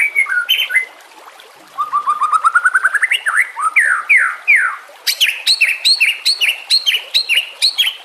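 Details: White-rumped shama singing for training other birds, with water sounds: rising series of rapid whistled notes climbing in pitch, then sharp repeated high chirps with buzzy overtones, lively and varied.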